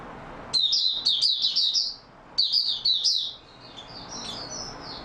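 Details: Oriental white-eye in stable singing form, 28 February 2022, giving two fast, high tinkling warbled phrases of about 1.5 seconds each, separated by a short pause, followed by quieter thin whistled notes.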